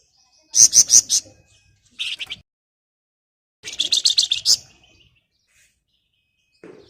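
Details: Flamboyan chattering song, nyereces style, used to lure birds to sing: rapid buzzy bursts of about five pulses, a short rasp, then a longer run of quick harsh pulses in a silent background.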